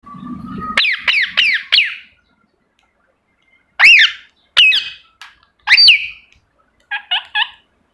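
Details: Pet ringneck parrot giving a quick run of four sharp, arched, harmonic chirps, then a pause, three further separate rising-falling squawks, and a brief stuttering triple chatter at the end; a short low buzzy sound precedes the calls.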